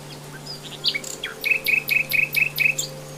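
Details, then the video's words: Common nightingale singing in the wild: a few varied high whistles, then one sharp, buzzy note repeated six times in a quick, even run, over a faint steady hum. "KICAUAN SIKATAN LONDO"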